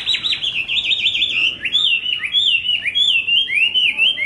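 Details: Rapid, wavering whistles from a Hwamei, sung as a continuous run of slurred notes with brief dips and swoops throughout.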